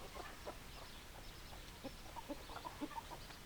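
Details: Chicken flock clucking softly: short, spaced, mid-pitched clucks scattered through a brief stretch, some slightly louder near the end, over a constant low rumble.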